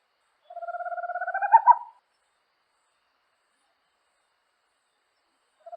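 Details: Amazonian little owl of nighttime forests; a rapid pulsed trill lasting about a second and a half builds to louder final notes, followed by a long silence before another trill starts.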